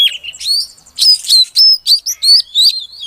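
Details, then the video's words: Female Oriental magpie-robin calling to stimulate a silent male to sing: bright, high whistled notes and sharp chirps, some rising or bending, in quick irregular bursts about three or four per second, with no other sounds in the background. "Suara Kacer Betina Untuk Pancingan Kacer Jantan Yang Macet Bunyi Agar Gacor"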